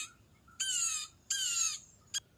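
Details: A blue jay in the woods of Northern Virginia in the morning gives its harsh call: two noisy squawks about half a second long, followed by a brief clipped note, with little else heard.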